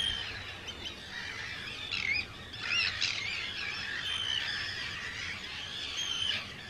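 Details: Many Arctic terns in a large breeding colony of hundreds of birds on Rottumerplaat, Netherlands, 4 June 2023, give a steady din of harsh, grating, high calls, with sharper squawks every second or two.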